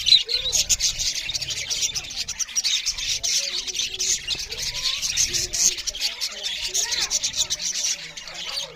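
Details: Loud budgerigar chirping during feeding, a long unbroken wall of high twittering and rasping chatter with sharper squawks scattered through it and faint low thumps.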